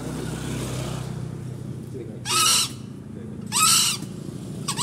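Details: Green junglefowl crowing: two short, harsh, broadband bursts about 1.3 seconds apart, with the start of a third at the end, over a steady low rumble like passing vehicles.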